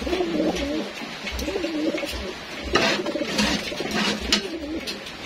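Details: Homing pigeons kept for racing, indoors at feeding time, giving low repeated rolling coos over a busy background of knocks and rustling.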